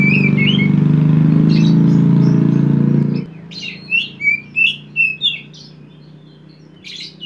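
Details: Poci oriental magpie-robin singing hard in konslet style as a lure for an untrained young bird: three seconds of loud low droning with a few notes, then a run of short, sharp, high chirps about every third of a second.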